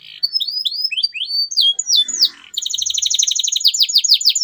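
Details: Canary song meant to prompt mute canaries back into singing: a series of rising whistled sweeps, then a fast, dense, rattling trill repeated several times a second.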